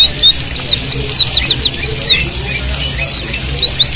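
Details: White-eye song used as water-therapy tutoring for birds that have stopped singing: quick, high, thin twittering notes, many sliding downward, tumbling out several per second, over a low steady hum.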